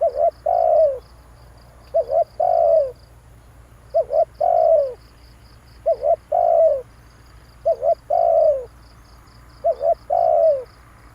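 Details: Spotted dove used as a lure bird, cooing in phrases of short arched notes followed by a longer falling coo, repeated about every two seconds; a faint regular ticking and low steady hum run underneath.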